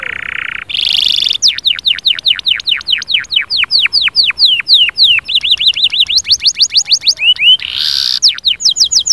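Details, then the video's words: Canary song, loud and varied: a buzzy note, then long runs of steeply falling whistled notes, a quick rolling trill and another buzz, all repeated in series. "اياك وتقول عصفوري الكناري ساكت أدخل عليه البهجة بالمقطع الاكثر تحفيز نار نارcanary"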